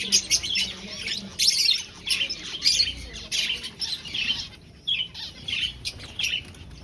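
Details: Breeding-colony finches in an aviary chatter with dense high twitters and short squeaky notes, the flock calling almost continuously in uneven pulses.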